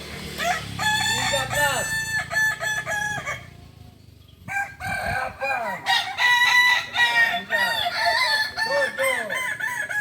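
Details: Kukuak Balenggek roosters, a native ornamental chicken breed from Solok, West Sumatra, at a joint practice contest. Long crows built from many stepped, arching syllables, broken by a short pause, with several birds overlapping.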